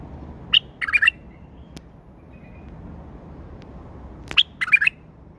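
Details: Tame male bulbul singing, giving two short bursts of bright chirpy notes, a brief sharp note followed by a quick cluster of three or four warbled syllables, separated by a long pause over a soft steady background hiss.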